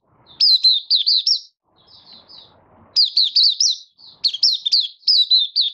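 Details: Oriental white-eye from Malaysia, a caged bird in light moult, recorded 24 August 2023 singing its opening song: sharp, high, bouncing chirp series in quick clusters, with a pause of softer twittering between them.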